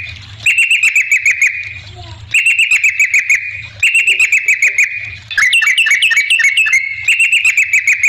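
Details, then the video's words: Yellow-vented bulbul singing persistently, played as a lure so other bulbuls answer: bursts of fast, ringing chattered notes, each lasting over a second, repeat with short pauses between. "suara trucukan gacor ampuh bikin nyaut pancingan trucukan agar bunyi"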